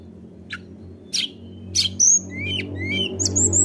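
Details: Sunda robin (tledekan gunung) singing to provoke rivals: scattered sharp high chips, then a run of clear whistled notes, some rising and some falling, with a thin buzzy finish over a faint low background drone.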